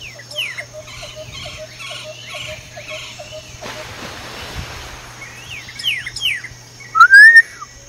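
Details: Male Pyrrhuloxia in the Tucson desert calling his mate: a run of short repeated notes, a burst of rushing noise, downward-slurred whistles, and a loud rising whistle near the end.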